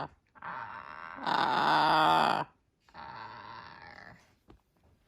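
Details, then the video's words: Pet blue-and-yellow macaw indoors fake coughing to get the vacuum: harsh, raspy, throaty bursts, one long loud rasp followed by a softer, shorter one. "fake coughing"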